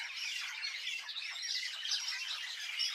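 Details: Birds chirping in a village: a dense, continuous chorus of many high overlapping chirps and squeaky notes, with no clear gaps across three seconds.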